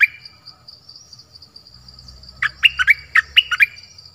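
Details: Decoy dok taeng bird calling for a mate in a forest, 13 January 2021. A single chirp opens, followed after a gap by a rapid run of about seven sharp, downslurred chirps, over a thin continuous high insect drone.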